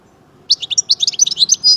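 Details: European goldfinch from Algeria, of the 'major' type, bursting into a fast, tinkling twitter of high, bright chirps and trills after a moment of quiet, ending in a longer buzzy note.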